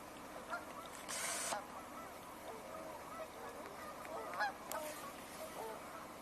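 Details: A distant flock of tundra swans gives soft, mellow, honking whoops at irregular intervals on January 31, 2026, with a brief gust or rustle. The swans are less vocal than a few weeks earlier, possibly because of the time of day.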